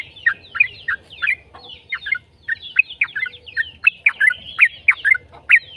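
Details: Yellow-vented bulbul singing a long 'ropel' phrase, used to coax other bulbuls to reply: dense, bubbling chattery notes that slur downward and come almost continuously, with a brief pause near the middle.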